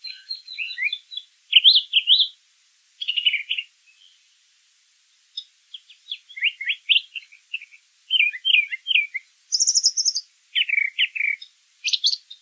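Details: Singing brown thrasher in nature, delivering varied phrases of chirps and slurs, a short silent gap midway, then more repeated couplets and a high buzzy phrase, with little background noise.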